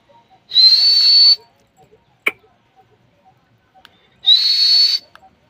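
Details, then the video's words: Talking parrot eating guava gives two harsh, whistle-like screeches, each under a second, held on a high, slightly rising pitch with a breathy edge, separated by a quiet gap broken by one sharp click. "बोलने वाला प्यारी सी तोता ने अमरूद खा रहा है"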